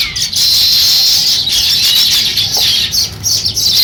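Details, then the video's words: Unbroken, dense high twittering of a sparrow beginning to build a nest, bright chirps overlapping throughout. "Sparrow Chirping Sounds | Sparrow start to Build Nest"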